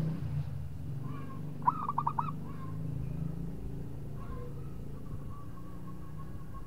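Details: A local zebra dove, calling to lure a rival, gives one quick burst of five bubbling coos, then faint, long, level hums against a steady low drone.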